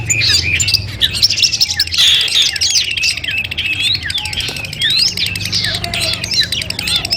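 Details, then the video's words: Long-tailed shrike (cendet) song from a masteran training collection, a mental test before a contest: quick high chirps, twisting whistles and squeaky notes in a dense, busy stream, with faint low hum underneath. "masteran kumpulan suara cendet tes mental sebelum lomba"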